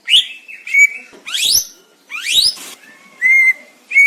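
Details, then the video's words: Greater green leafbird, recorded as training master audio, alternating steeply rising buzzy sweeps with steady, level whistled notes held for about half a second. "Cucak ijo"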